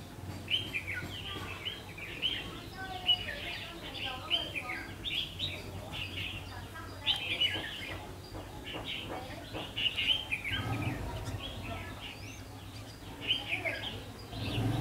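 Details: Red-whiskered bulbul singing as a trap lure on 3 September 2016 at 5 pm: dense run of chirpy, warbling notes, with a low hum and a brief murmur near the end.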